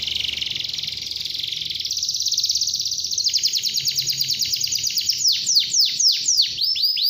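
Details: Canary song aimed at getting young canaries singing early: steady rapid trill that climbs in pitch in stages, followed by a string of loud drooping, whip-like notes about two per second.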